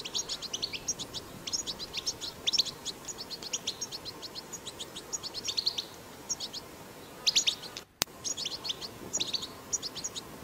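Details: European goldfinch in the wild giving a powerful twittering song: dense runs of quick, high tinkling chirps and buzzy notes, a brief silent gap with a click near the eighth second, then the chatter resumes.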